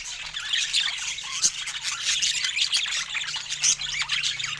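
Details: Pet budgies at fruit time give busy high twitters and squawks, with rapid clicks and a faint low hum underneath.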